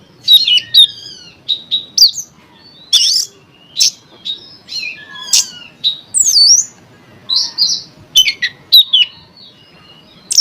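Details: Lure song of an Oriental magpie-robin meant to trigger singing in other magpie-robins: bright whistles, upward and downward slurs, buzzy notes and sharp chips in quick, irregular phrases.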